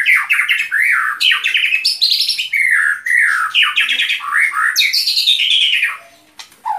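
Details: White-rumped shama singing: rich, loud, varied phrases of fluty whistles, sweeping up and down, mixed with harsher buzzy and chattering notes, delivered almost continuously before a brief pause near the end.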